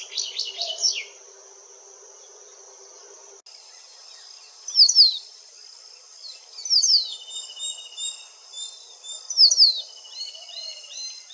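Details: White-browed wagtail in India giving sharp, high, descending chips in short bursts about every two seconds, over a steady high insect hiss.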